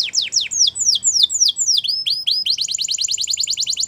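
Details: Canary song played to get canaries singing: a string of steep downslurred whistles, then upturned notes, followed by a quick even trill of high repeated notes.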